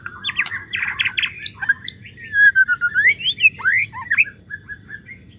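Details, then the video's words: Female white-rumped shama sound used as therapy for males that stopped singing. Buzzy stacked chatter at the start, then clear whistled notes sweeping up and down in a rolling phrase before fading into soft chips. "suara betina murai batu ampuh untuk memancing murai stres,macet bunyi"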